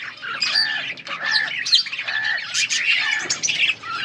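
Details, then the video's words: Yellow budgerigars recorded August 20, 2024, giving nasal squawks and bright chirps in quick succession, with a faint low hum underneath the lively chatter. "Beautiful yellow budgies chirping sounds 💛 budgies talking"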